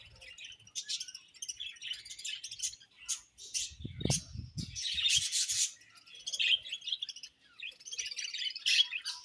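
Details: Budgie chatter of scratchy, high twittering phrases in uneven bursts, with a short low rubbing or scraping noise partway through.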